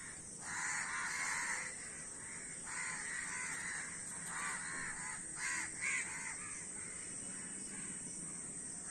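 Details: Numerous crows call at once, their hoarse caws coming quickly and irregularly, sometimes clustered in short runs, over steady outdoor background noise.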